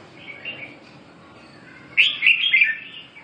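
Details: Red-whiskered bulbul giving a soft warble followed by one loud, bright burst of quick whistled, bubbling notes, with a faint low hum in the background.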